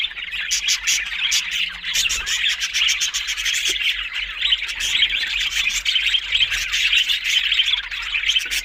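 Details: Budgerigars, an Australian parrot, chattering continuously: a dense, busy warble of rapid chirps and clicks with short buzzy notes, steady throughout without pause.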